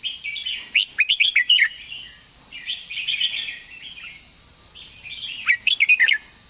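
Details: Red-whiskered bulbul repeating lively chortled phrases: a clear burst, a softer warbled passage, then another bright burst, under a continuous insect whine.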